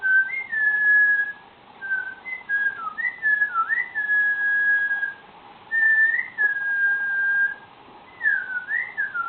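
A cockatiel whistles clear, tuneful phrases that slide up and down, broken by short pauses.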